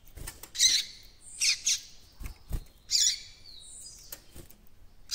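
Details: Young captive coleiro-baiano seedeater starting to develop its encarte-style song: scattered short high chirps and thin whistled fragments in loose bursts, with a few low thumps between the notes.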